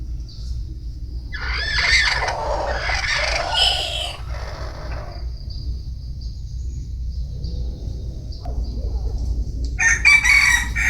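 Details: Bantam chicken crowing: a long, ragged, harmonic crow early on, then a fainter trailing note, and a new loud crow starting near the end, over steady low background hum.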